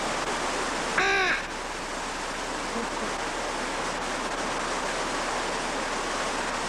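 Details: At Nashville Zoo around 2000, a hyacinth macaw gives one loud, harsh, grating squawk lasting about half a second, over a steady rushing hiss like running water.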